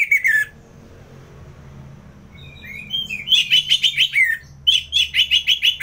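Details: Ngeplong-style song of a kept orange-headed thrush from Singaraja, North Bali: a short slurred whistle, a pause, then rapid bright chattering notes repeated about twice a second in two bursts, with a faint low hum behind.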